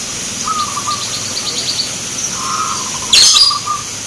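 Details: Zebra doves sing at a local perkutut contest in Grabag, Magelang, Indonesia. Soft trilled coo phrases sound against high chirping from other birds and steady hiss. A sharp, loud burst cuts through near the end.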